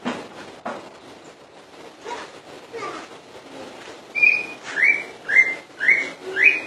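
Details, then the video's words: Common iora song beginning after several seconds of faint clicking noise: five strong whistled notes in quick succession, each swooping up then levelling out. "burung cak ijo full dor"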